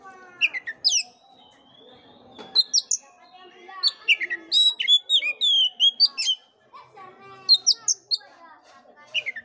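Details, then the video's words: An Oriental magpie-robin sings, its song meant to stimulate an unenthusiastic bird: bright downslurred whistles, clustered chattering notes and ringing upward sweeps, delivered in bursts separated by brief silences. "pancingan kacer jitu dan ampuh buat kacer loyo kurang ber gairah.!!!"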